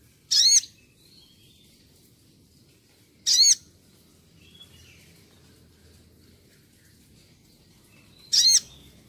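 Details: Crimson Sunbird in active song for bird tutoring: three high, clipped, wavering notes spaced about three to five seconds apart over a low steady hiss.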